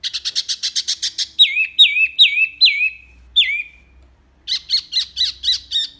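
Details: A mini wambi gives a clear "tembakan" used to teach pet songbirds: a fast trill of short notes, five downslurred whistles in steady succession, a pause, then quick sharp high notes.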